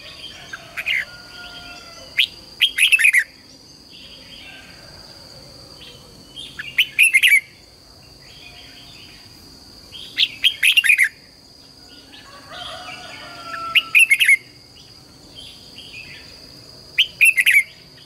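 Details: A caged red-whiskered bulbul (Pycnonotus jocosus) sings short, bright, bubbling phrases, doubled and tripled, every few seconds over a steady insect whine.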